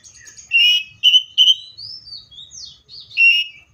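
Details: Seychelles magpie-robin song of loud rich whistled notes in separate bursts, with sliding thin whistles between them and a final full warbled phrase.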